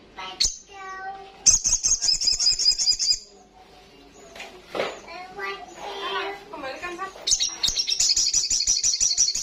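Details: Loud ngalas-style song of an olive-backed sunbird, with a sharp opening note and bursts of rapid, shrill, buzzing trills; between them come softer, lower chirps and voice-like sounds.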